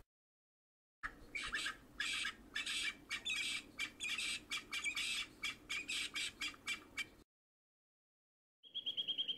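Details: Giant kingfisher eating its catch at Sunset Dam near Lower Sabie, Kruger National Park; harsh, broadband squawking notes in irregular bursts, roughly one or two per second for six seconds, then a pause and a short clear whistle.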